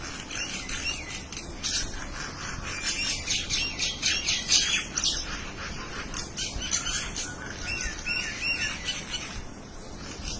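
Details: Birds conversing in bursts of harsh squawks mixed with bright chirps, the overlapping calls swelling and fading in waves.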